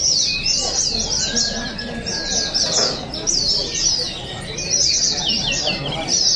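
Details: Oriental white-eyes singing at an open contest in Balingian, Sarawak, 2023: clustered bursts of sharp, high chirps in quick succession, a rising drawn-out whistle near the start, and muffled crowd sounds.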